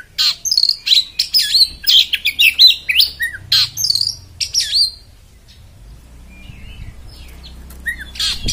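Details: Oriental magpie-robin in a coarse beset style, giving a quick run of sharp chirps and buzzy notes about every half second, then falling quiet apart from faint thin whistles.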